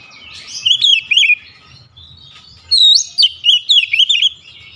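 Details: Oriental magpie-robin singing with beak opened wide, delivering spicy high whistled phrases in two loud bursts of quick warbling slurred notes separated by a brief lull, faint low rumbling beneath.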